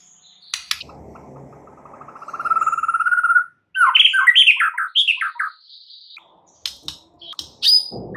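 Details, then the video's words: Full isian white-rumped shama lure song to get other birds singing: a rising rattling trill, then a tumbling run of squeaky, chattering notes and scattered sharp clicks, over faint background rustle. "LANGSUNG GACOR GAK PAKE LAMA DENGAN PANCINGAN MURAI FULL ISIAN INI"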